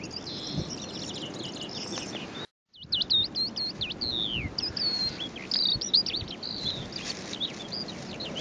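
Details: Calandra lark (Melanocorypha calandra) singing in the Golan Heights, Israel, on 11 April 2011: a fast, continuous jumble of high chirps, trills and slurred whistles, with a brief silent gap early on.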